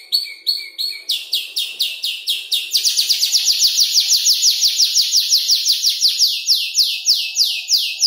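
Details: Young canary around five months old, learning to order its song from tutor birds such as ciblek and prenjak lumut, gives spaced chirps that speed into a fast, even trill of sweeping high notes.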